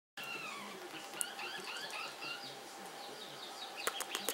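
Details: Two blue male Pacific parrotlets, brothers, getting chatty in quick, overlapping high chirps and squeaky notes, with a few sharp clicks near the end.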